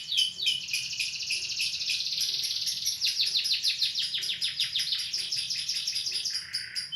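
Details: A lovebird's ngekek, the long trilling song: a run of rapid, shrill, rattling notes that blur together into a sustained chatter, breaking into more separated pulses near the end.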